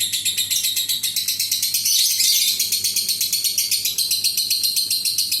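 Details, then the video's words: Adult fighter lovebird giving a long ngekek trill, used as a lure to set other lovebirds trilling: a dense, rapid, high shrill chatter of even pulses, roughly four per second, running unbroken throughout with a faint low hum beneath. "SUARA BURUNG LOVEBIRD INI AMPUH UNTUK PANCINGAN LB LAIN NGEKEK PANJANG"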